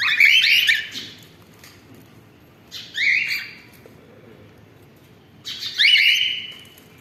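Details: Three strident, rising squawks from a cockatiel family, the first and last long and harsh, the middle one shorter, separated by quiet gaps of roughly two seconds.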